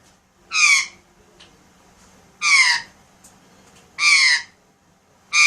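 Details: Alexandrine parakeet kept at home giving loud harsh squawks, four in a row roughly every one and a half seconds, each a short rasping downslurred burst, in a quiet room.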